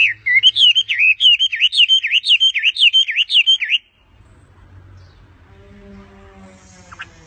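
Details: Bird singing a rapid, rhythmic series of bright, looping whistles for nearly four seconds, then stopping, leaving faint low background noise.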